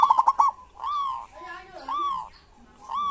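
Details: Local zebra dove singing in kerot and bekur style, used as a lure to stir quiet doves into singing: a fast stuttered run of short coos, then longer, rounded cooing notes with a rising and falling lilt. A fainter lower coo sounds beneath.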